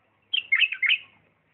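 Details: Diyala bulbul giving a short 'lisanat' song phrase: a sharp first note, then a tumbling run of mellow warbles with one brief gap, over faint background hiss.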